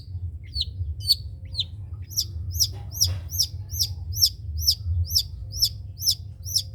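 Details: Long-tailed shrike, a spotted (trotol) cendet kept as a master bird for other songbirds to copy, gives a series of sharp high downslurred chips roughly every half second, with a steady low hum underneath.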